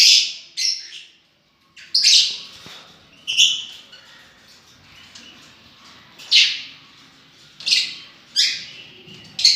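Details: Scattered loud shrill chirps from lovebirds, single harsh notes spaced irregularly with quieter chatter between.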